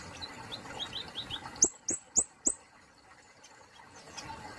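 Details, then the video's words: Soft, rapid high twittering from a plain flowerpecker gives way to four loud, sharp chips spaced about a quarter second apart, then faint ticking. "KICAUANNYA BELUM BANYAK DIKETAHUI || BURUNG KEMADE POLOS"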